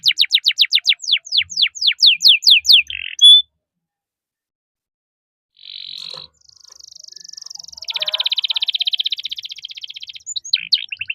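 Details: Singing canary, a 'gacor' bird offered as a tutor and trigger for contest canaries: descending whistled sweeps, a pause, a brief buzz, then a long, even, rapid rolling trill held for several seconds.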